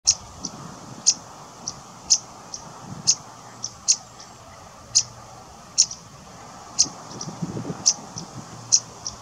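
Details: Cetti's warbler fledgling at RSPB Middleton Lakes, 3 August 2023, giving sharp, very high ticking calls about once a second, with softer ticks in between, over a faint low background hum.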